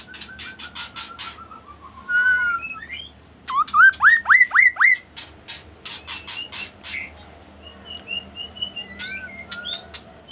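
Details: A long descending whistled phrase from a magpie-robin gives way to a burst of six fast rising whistled sweeps, then softer warbled notes and clicks, with dense ticking sounds at both ends.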